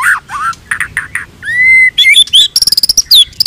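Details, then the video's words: White-rumped shama, a blorok (pied) variety kept as a caged songbird, singing a varied phrase: harsh buzzy notes, a pure whistle held near one pitch, then rapid high staccato chips repeated in a fast burst. "MURAI BLOROK NEMBAK SUJUD"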